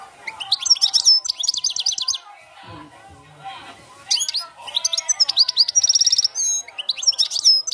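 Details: European goldfinch song of the 'cante campero' style, with two bursts of fast, tinkling twitter and buzzy trills separated by a short pause in which a faint low sound is heard.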